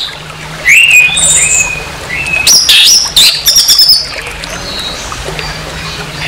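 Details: Orange-headed thrush singing harshly to provoke a rival orange-headed thrush: a series of whistled slurs and high thin notes, then a dense burst of scratchy rising notes, over a faint low hum.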